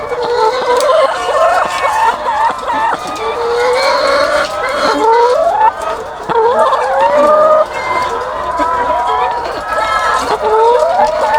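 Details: Egg-laying chickens by the thousands in a farm house: continuous layered cackling, with nasal, wavering calls sliding up and down over a constant murmur of clucks, loud and unbroken.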